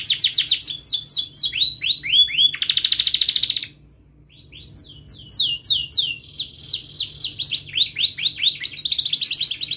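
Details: Canary singing in a tutor recording for young canaries learning to sing: high rapid rolling trills and repeated descending chirps, a sharp buzzy stretch, a brief pause, then more fast trilled phrases.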